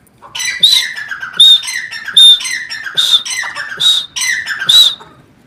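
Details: Teetar, a partridge, calling in a steady series: each harsh squawk carries a short clear whistle and trails into a lower falling note, repeated about every 0.8 seconds.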